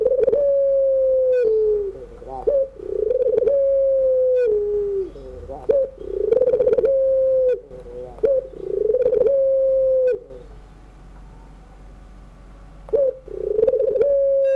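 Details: Puter pelung collared dove cooing in the evening: long, level, drawn-out coos, each about a second and a half, broken by short stepped, quavering notes, repeating steadily with a brief pause near the end.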